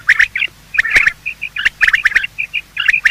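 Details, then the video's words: Male and female quail calling in the morning, a recording meant for hunting: quick bursts of clipped chirps alternate with short, evenly spaced piping notes, punctuated by sharp clicks. "Quail calling sound: master the Art of Quail tripping | Bater Awaz Subha"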